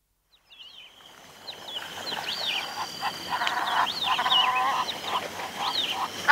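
Several Egyptian geese call over one another in harsh, nasal honks, building to a busy chorus, with larks and insects faintly behind.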